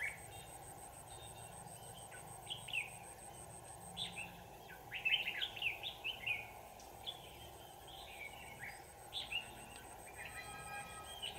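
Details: Trapping of a red-whiskered bulbul on 25 November 2018; scattered short whistled, slurred phrases build to a denser burst midway, accompanied by a faint high rhythmic ticking and steady low drone.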